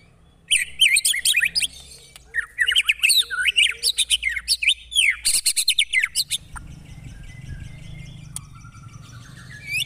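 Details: Real white-rumped shama delivering aggressive 'tembakan' song: a dense, fast run of varied whistled notes, chirps and rising slurs, followed by a low steady hum beneath a few sparse high notes.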